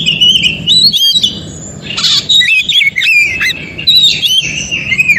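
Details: Oriental magpie-robin, wild forest recording used as a lure and singing therapy for other magpie-robins: continuous bright whistled song with rapid slurs, buzzy bursts and repeated chirps, soft low background rumble.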